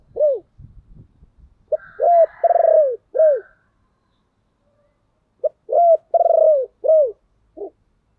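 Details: Spotted dove calling to draw in other doves, giving two similar phrases a few seconds apart. Each has a brief note, arched coos and a drawn-out, throbbing middle coo, and a short final note closes the clip.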